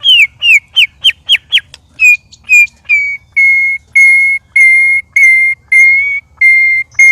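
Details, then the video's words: White-rumped shama, one of three caged birds sparring, loud: six quick falling whistles, then a steady series of long, level, pure whistles repeated about every half second. "Murai Keluar Suara Aneh Ketika Di Trex 3 Murai"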